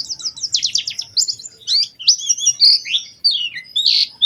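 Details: High, lively white-eye song for luring others into song: a quick series of rapid downslurred chips, then varied whistled and twittered phrases broken by short pauses.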